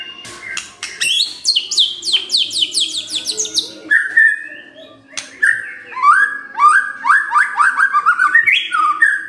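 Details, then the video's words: White-rumped shama singing a rich, varied song in the morning, used as a lure to get silent shamas answering: rapid rising whistles and sweeping notes in quick bursts, then lower fluty phrases repeated about twice a second; White-rumped shama. "Pancingan PAGI-PAGI AGAR MURAI GACOR❗ murai diam pasti ikut NYAUT❗❗"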